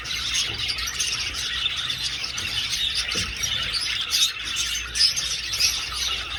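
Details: Old-aviary budgies in flight chatter continuously in high, scratchy warbles and chirps, with a few louder squeaky peaks toward the end.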